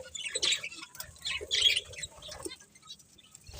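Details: Budgerigars chirping quietly in two short scratchy bursts, followed by softer chatter fading out, with faint rustling.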